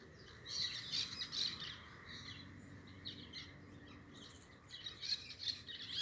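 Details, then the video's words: Softer parakeet chatter: clusters of thin, squeaky chirps and short scratchy notes in irregular bursts, quieter in the middle and rising again toward the end, low background hum throughout. "Som dos periquitos"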